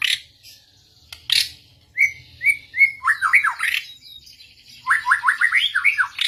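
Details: White-rumped shama answering another bird: a few sharp clicks, then clear whistled notes and quick descending chattering runs, repeated in lively bursts.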